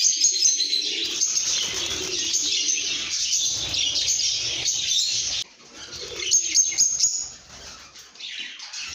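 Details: Lovebirds chattering happily: loud dense high chirping for about five seconds, then a sudden drop to quieter bursts of squeaks with wing flutters and rustling.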